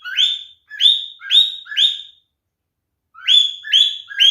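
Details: Mating calls of a male cockatiel: a run of four upswept, flat-topped calls roughly every half second, a pause, then three more.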